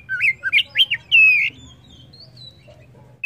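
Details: Song of a white-rumped shama: a quick run of bright whistled notes rising and falling, ending in a long loud slurred whistle, then quiet with faint distant chirps.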